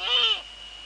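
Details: Eurasian eagle-owl pair at a nest in the Netherlands, evening of 2 February 2013 at 19:15, female at nest, male close by; one short, loud, rasping call with a raised, arched shape, followed by steady background hum.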